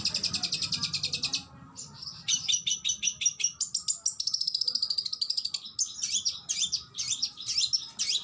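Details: Oriental magpie-robin master song with fierce tembakan: a dense high buzzy burst, a brief gap, then quick chattering notes and sweeping whistles delivered almost continuously.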